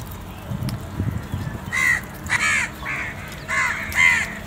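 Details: A black crow, one of several feeding together and calling other crows to food, gives five harsh, nasal caws in quick succession, about half a second apart, after a brief low rumble of background noise.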